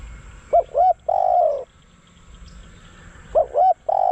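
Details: Decoy spotted dove used to lure wild doves. Two short coos lead into a long, steady, slightly buzzy croo. The phrase repeats after a pause, and the second one is cut off.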